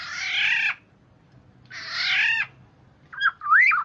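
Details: Kepodang, the black-naped oriole, calling to lure other orioles into answering: two rasping, nasal squawks of nearly a second each, then a short fluty whistle that swoops upward and drops.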